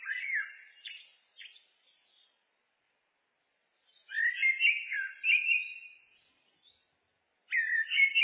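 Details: Looped recording of a common blackbird: rich, mellow warbling phrases with slurred whistles and a few softer twittering notes, separated by silent gaps of several seconds.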